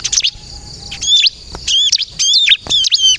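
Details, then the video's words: Bar-winged prinia, called ciblek kristal, singing persistently as a lure to provoke other birds to answer; high, sharp chirped phrases with bent whistled notes come in bursts separated by short pauses, with faint low background hum. "suara burung ciblek kristal gacor untuk pikat dan pancingan ciblek bahan agar bunyi nyaut"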